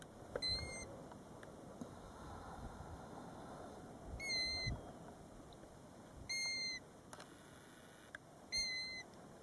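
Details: European golden plover near its nest by a roadside at Båtsfjord, Norway, gives clear, plaintive whistles, each slightly falling then steady, repeated about every two seconds over a low wind rumble.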